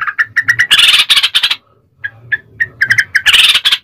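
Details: Sooty-headed bulbul singing as a lure to provoke other bulbuls: short bubbly whistled notes broken by harsh, noisy scolding bursts, with a brief silent gap in the middle.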